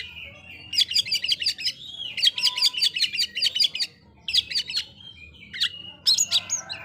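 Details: Oriental magpie-robin song meant to anger rival magpie-robins: long runs of fast, harsh repeated chirps in two extended bursts, then shorter bursts and a final rising whistle.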